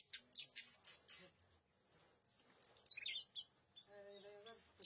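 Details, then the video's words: Kacer, the Oriental magpie-robin, recorded in Nagan Raya, Aceh. A few sharp high chips open the clip, a quiet pause follows, then a cluster of bright whistled notes. It ends with a steadier tonal sound beneath faint background noise. "Kacer Nagan Raya Aceh (Copsychus saularis)"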